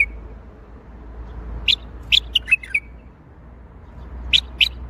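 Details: Bulbul singing in the Baghdadi style: short bright whistled notes in separated bursts, a pair near the start, a quick run of four or five warbled notes in the middle and two more near the end, over a faint low hum.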